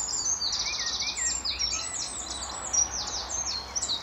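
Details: Eurasian wren calling loudly at Standalone Farm, Letchworth, March 2014, early morning, exchanging songs with a nearby wren: dense, rapid, high trilling and chattering phrases over steady background noise and low hum.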